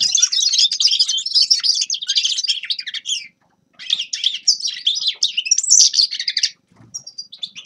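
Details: Grey-crowned goldfinch song: two long bursts of rapid, high twittering with buzzy and tinkling notes. A brief pause falls near the middle, and a few thin, clipped notes close the clip. No other sounds are clear.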